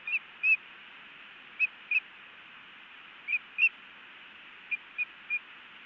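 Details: Osprey at a Montana nest on 10 May 2017, with a male bringing a big trout to the female. Short, high whistled chirps come singly or in pairs with gaps of about a second. Nine notes, and the background is quiet.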